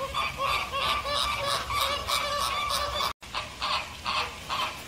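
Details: Caribbean (American) flamingo honking, loud gabbling nasal calls repeated rapidly and layered over one another, with a short break partway through.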